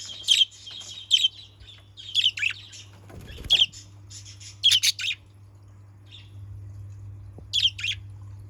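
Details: Short, high, raspy budgerigar chirps from a cage come singly and in pairs at uneven intervals, with a dull low thump midway and long quieter stretches over a constant low hum.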